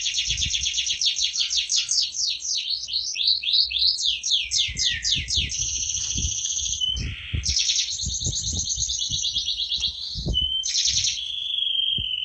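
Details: Prize-winning canary singing vigorously: a long varied song of fast descending sweeps, rolling trills and steady buzzy tones, changing phrase every few seconds, with repeated low knocking sounds underneath.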